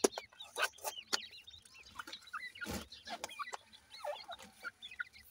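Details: Young partridge chicks playing make soft high peeps and slurred twitters between bursts of loud clicking and a heavy thump.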